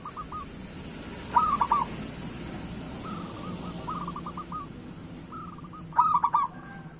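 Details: Local zebra dove cooing to encourage other doves to sing: two strong bursts of short, bubbling notes about five seconds apart, with quieter distant doves cooing in between over a noisy, humming background.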